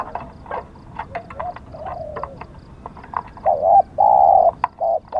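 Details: Spotted dove decoy in a luring session: scattered clicks and soft knocks at first, with faint murmured coos, then three loud, steady, low coos close together near the end.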